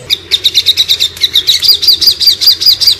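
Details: Sogon bird giving the fast ngobra shooting call meant for tutoring cage birds: a steady string of sharp, high chips at about seventy-five per minute, shifting into slightly buzzier downslurred notes midway.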